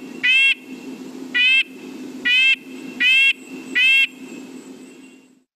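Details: Red-breasted Nuthatch giving five nasal, tinny 'yank' notes, likened to a tiny tin horn, about one per second over a low steady hum.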